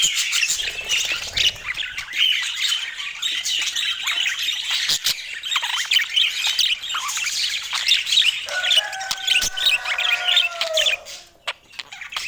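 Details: Ongoing budgerigar chatter of scratchy warbles and chirps. Near the end a steadier, lower whistled tone sounds for a few seconds before the chatter fades.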